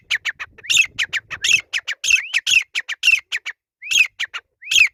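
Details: Grey francolin in full voice: a rapid, continuous series of harsh ringing notes mixed with rising whistled upslurs, several calls overlapping in quick rhythm for five seconds, loud and close.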